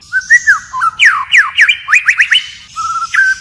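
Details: A white-rumped shama delivers wild-style song, switching phrases: soft whistles, then a quick string of sharply falling and rising slurred notes, ending on a flat, steady whistle.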